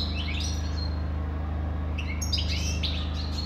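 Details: Short bursts of high chirping and liquid twitters from a European goldfinch, separated by a quiet gap, all over a continuous low background hum.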